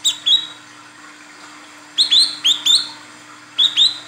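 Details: Female olive-backed sunbird calling to draw a male: paired high upslurred chirps, then a run of four, then another pair, each group separated by short pauses, with a faint constant hum.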